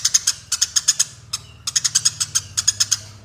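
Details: Fighting Eurasian tree sparrows give quick, sharp, high chirps in two long, uneven series, with a steady low hum underneath throughout.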